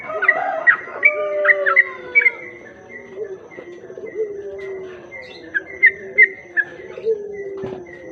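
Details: Sooty-headed bulbul singing as a lure to attract other bulbuls. Crisp chirps and short level whistles come in loose bursts, first clustered, then sparser, against lower mellow cooing-like tones from other birds.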